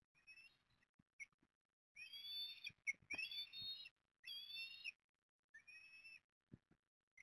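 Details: Eastern ospreys at Port Lincoln, Australia, during the morning feeding of chicks on 20 September 2022: shrill whistled calls, some short, some drawn out over a second, arriving in uneven bursts with brief pauses between.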